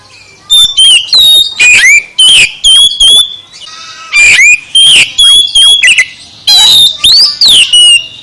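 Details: Oriental magpie-robin song played to stir a sluggish bird into singing: loud bursts of clear whistles near mid-high pitch, sliding and warbling, mixed with harsh squawky notes, in two phrases separated by a short pause.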